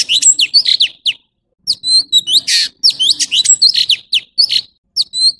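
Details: Chim thanh tước, the orange-bellied leafbird, giving rapid high chirps and quick slurred whistles in dense bursts, one harsh buzzy note in the middle and brief gaps between phrases.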